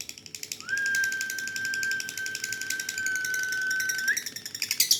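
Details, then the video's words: Competition lovebird of the dun fallow colour, chattering in ngekek fashion with dense, scratchy, fast-repeated notes over a long steady whistle-like tone, ending in louder chirps. "Lovebird Singgle Fighter"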